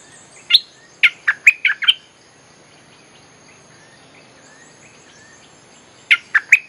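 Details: Bulbul lure song used to call wild birds: two bursts of short, bright chirped notes, five in quick succession then three more after a pause, over faint steady insect hiss.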